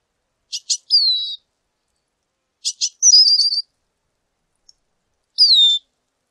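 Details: Lesser goldfinch phrases: a pair of sharp chip notes followed by a sweet descending or wavering whistle, repeated three times over several seconds with silent gaps between.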